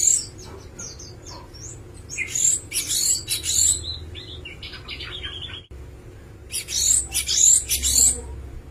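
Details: Java sparrow singing a varied phrase of sharp high chirps, then a run of lower descending notes, a short pause, and a fresh burst of bright chirping.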